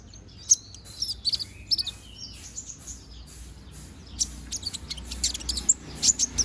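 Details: Balding konin bird regrowing feathers sings in short bursts of high chirps and squeaky slurred notes, a quieter gap around the middle, then more scattered sharp tweets; a steady low hum sits beneath.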